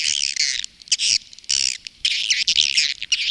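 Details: Swiftlet lure recording of the calling and roosting sound that Indonesian swiftlet farmers use. Loud, buzzy, high chattering squeaks in long rasping bursts, with brief pauses between them.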